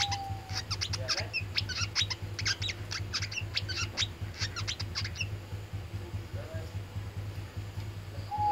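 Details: Oriental white-eye in tarung, fighting-style song: a dense, fast run of high, sharp chips and twitters for about five seconds, then quiet apart from a continuous low hum and a few faint background notes.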